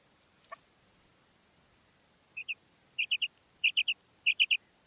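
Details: Female common quail calling: after a faint click, short bright notes sound in pairs and triplets from mid-clip, each group rapid and even, quickly repeated against a quiet background.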